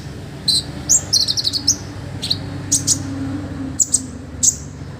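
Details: Olive-backed sunbird song for training other birds: sparse, thin, high chirps, with one quick cluster of sharp notes early on and isolated tweets spaced about a second apart.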